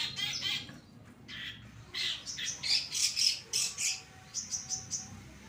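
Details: Pastol-type long-tailed shrike, a caged bird singing hard, offered as a tutor recording: loud, harsh squawking bursts in quick succession, then a row of five short, high, clipped notes.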